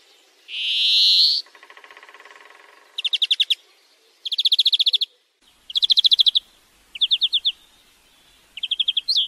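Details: European greenfinch song from a tutoring recording meant to train a bird to sing: a long harsh rising wheeze, then a low buzzy rattle and a series of fast, bright trilled bursts separated by short pauses.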